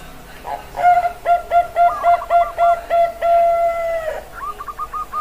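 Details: Bangkok-line zebra dove (perkutut) kept as stock in Indonesia, recorded 16 October 2023: a series of about eight short, mellow coos at a steady low pitch, then one long drawn-out coo and a softer trailing phrase.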